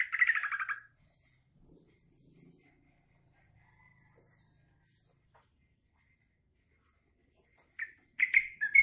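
Green leafbird giving short, bright, chattering bursts of song at the start and end, with a long quiet stretch between.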